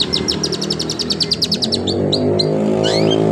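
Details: Long-tailed shrike singing in imitation of a canary: a rapid run of sharp, high chirps that slows into a few separate whistled notes, over a steady low engine-like drone.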